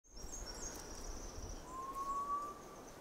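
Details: Hill partridge at Eaglenest, Arunachal Pradesh: a single clear, mellow whistle rising slightly in pitch and held for over a second, over a thin, high insect hum and low rumbling background.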